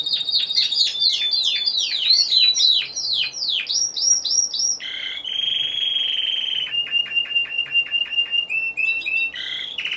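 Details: Single Timbrado Español canary singing in an individual-category song competition, 26 November 2015: rapid sweeping trills slide down, then give way to a long steady metallic roll and clipped, evenly spaced notes.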